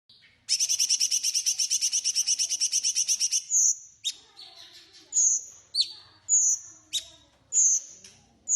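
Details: Bulbul singing: opens with a fast, high, rattling trill lasting about three seconds, then a series of sharp, very high whistled notes roughly once a second.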